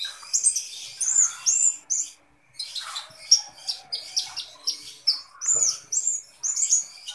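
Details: Kolibri ninja sunbird singing diligently: a continuous string of high squeaky chirps and upslurred notes, roughly several a second, broken by one short pause.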